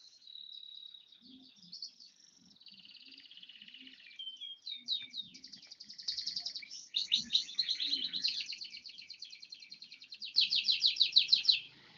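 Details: Bar-winged prinia, one year old, delivering a long high song: a steady thin whistle, then quick stuttering notes building into loud rhythmic buzzy trills repeated about three times per second, ending in a strong pulsing burst.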